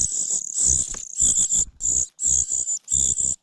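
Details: Parasitic common cuckoo chick begging, angry at missing food and pecking its foster mother; intense high-pitched hissing calls, a long wheeze then separate bursts of about half a second, with soft thumps.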